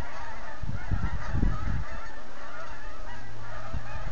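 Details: On the Rideau River near Manotick, thousands of geese take off in autumn, giving a brief surge of honking midway over a constant rushing hiss.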